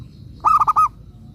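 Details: A single phrase of four rounded, hollow coos from a local zebra dove kept as a lure bird. The last note is drawn out longest. Low background hum underneath.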